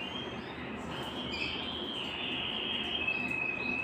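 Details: Belgian canary singing to excite other canaries and bring females into breeding condition; one long, steady, high rolled trill held for several seconds, slightly changing pitch partway, with persistent background hiss.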